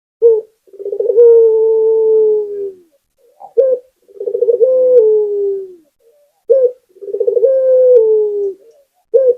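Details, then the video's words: Vigorous song of a local Barbary dove (puter): a repeated pattern of a brief emphatic note, then a rippling coo drawn into a long, sagging hum, heard three times with nothing else in the background. "Suara Burung Puter Gacor"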